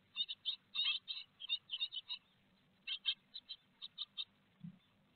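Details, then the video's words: Nest-box great tits, Théding, France, 4 May 2021, a large peanut brought in: quick runs of sharp, high chip-like notes in two main groups, separated by a pause, over faint low rustling. "Les Mésanges Charbonnières de Théding"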